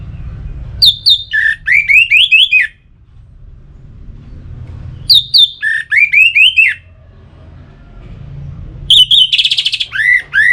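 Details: Orange-headed thrush singing, used to spur other birds into song: three loud phrases about four seconds apart, each a rapid string of high notes followed by a series of falling whistled slurs, the last phrase with a harsh buzzy passage.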